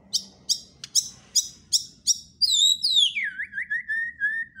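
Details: White-rumped shama giving a string of sharp, evenly spaced high notes, about one every third of a second, then breaking into a loud, falling, fluty warble that slides down into lower rippling whistles.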